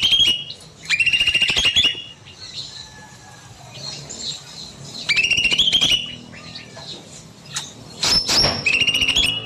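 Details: Evening song of an aviary bulbul singing at length: three bursts of lively chattering, each with clear whistled phrases, separated by quieter pauses full of faint background chirps.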